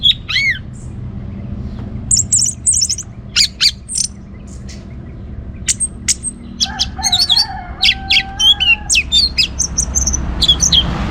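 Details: Singing orange-headed thrush, Bali, used to draw other birds into song: high whistles and buzzy notes at first, then a quickening torrent of sharp clicks and chirps with a lower drawn whistle beneath.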